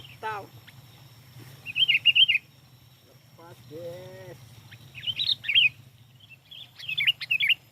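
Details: Sooty-headed bulbul in full song for luring. It gives quick chattering, bubbly phrases in repeated bursts. A descending trill and a lower wavering whistle come between them, over a soft steady low hum.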